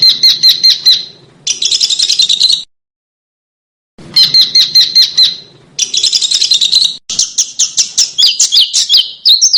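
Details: Small bird master recording meant for training competition birds: dense stuttering trills and buzzy chatter in bursts separated by silence, ending in a fast run of high varied twittering notes.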